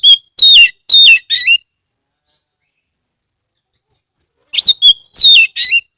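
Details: Oriental magpie-robin, a kept bird from Rejosari, Ambal, Kebumen, Central Java, singing vigorously, played to coax other magpie-robins into song: two bursts of four loud, rich whistled phrases sweeping up and down, with a quiet three-second pause between.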